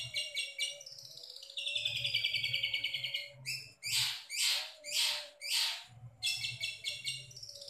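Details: Long-tailed shrike singing a varied mix of mimicked phrases: quick chattering notes, a long buzzy falling rasp, then several broad, scratchy upward strokes before fast chatter resumes, over a faint hum.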